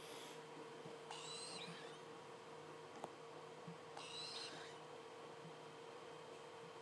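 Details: Two captive tropical screech owl (Megascops choliba) owlets, aged 26 and 21 days, give two harsh, hissing rasps about three seconds apart, each lasting half a second, over a steady low electrical hum.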